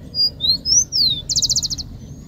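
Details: Rufous-collared sparrow singing: a few clear, slurred high whistles, some rising and some falling, then a fast, even trill of about nine short notes, over faint low background rumble.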